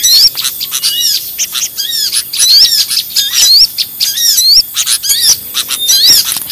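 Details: Noisy lure recording of small birds: a dense, busy chorus of high chirps and twitters with a clear rising whistled upslur, then a lower slurred note, repeated about once a second.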